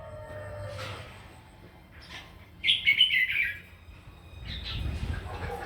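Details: Morning fighting song of a red-whiskered bulbul in voice training: one short burst of rich, bubbling whistled notes in the middle, with quieter low murmuring background noise before and after.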